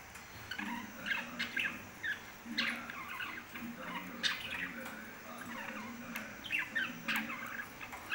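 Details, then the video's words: Pet lovebirds chatter in a steady stream of short, scratchy, high chirps and squeaks, repeated irregularly throughout, at a low level over a faint background hum. "love birds kothai birds speaking"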